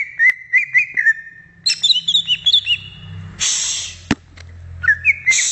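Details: Free-living greater green leafbird singing short whistled notes, then a cluster of higher chirps. A brief loud hiss of noise breaks in midway, and whistles resume at the end.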